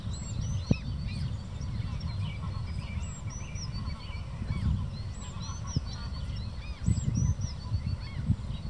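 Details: Two common shelducks give short, high, upslurred whistles in quick, uneven bursts, with a few low honking notes, over steady wind rumble.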